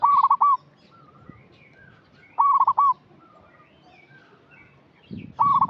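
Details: Local zebra dove calling eagerly as a lure for untrained young birds: three bright, rolling, stuttered coo phrases about two and a half seconds apart, each trailed by softer level notes, in fairly quiet surroundings.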